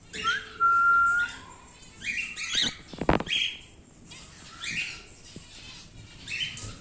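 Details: Pet wild-type normal grey male cockatiel giving a mix of short harsh chirps and a drawn-out steady whistle, with bursts of scratchy, noisy calls and a sharp knock near the middle.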